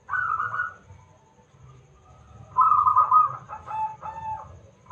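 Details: Loud-voiced local zebra dove (perkutut), used as a lure so other doves answer in song: a short coo phrase, a pause, then a longer broken series of rapid, stuttering cooing notes that trail off.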